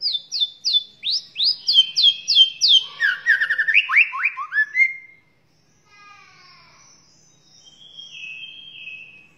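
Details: White-rumped shama (murai batu) in full varied song used to train other birds: a fast run of loud descending slurred whistles and notes, then a quiet pause and faint high whistled phrases.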